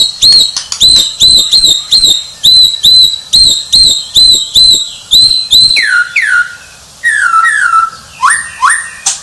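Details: Champion White-rumped shama singing: a fast series of sharp, high repeated notes about two or three per second, then falling slurred whistles and rising upslurs near the end.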